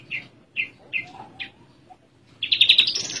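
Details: Spotted branjangan (Horsfield's bushlark) kept in a cage, singing relaxed: four spaced single chirps, then a dense, fast buzzy trill of high notes that rises slightly toward the end.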